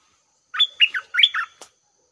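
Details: At 6 am a red-whiskered bulbul decoy sings to lure a wary wild bird into combat; a lively phrase of five chirpy whistled notes swooping up and down, ending with a sharp click.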